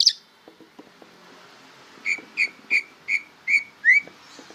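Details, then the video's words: Greater green leafbird, young and still learning to sing, gives six or seven spaced, clear whistled notes, each short and slightly downslurred, after a quiet start. "suara burung cucak ijo belajar berbunyi"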